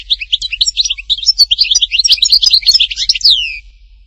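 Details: European goldfinch from Htatba, Tipaza delivering a continuous, fast, jangling high twitter of varied chirps and trills for over three seconds, closing with a descending slurred note.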